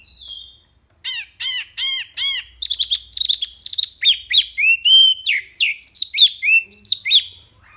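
A wambi sings a lively run of high, clear notes: three arched chirps, then quick rising and falling whistled phrases, about one a second.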